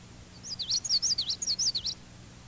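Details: Common yellowthroat song variation from a birdsong identification tape, with regional variation noted: rolling, connected high notes in about eight quick wavering phrases over roughly one and a half seconds, with faint low hum beneath.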